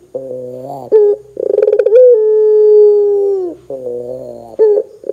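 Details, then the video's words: Barbary dove in full voice, used to get other doves calling: a short hooting note, then a pulsing rolled phrase flowing into a sustained even coo about one and a half seconds long, falling off at its close. "suara PUTER gacor Bikin PUTER Lain dengar cepat IKUT BUNYI"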